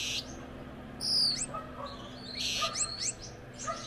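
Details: A pair of Gouldian finches sings with bright high whistles, falling glides and a soft buzzy burst, with scattered quieter chirps and a low background hum.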